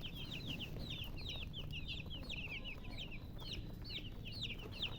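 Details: Chicks chirping in a group: a busy stream of shrill, falling peeps, several per second and overlapping, above constant low-pitched background noise.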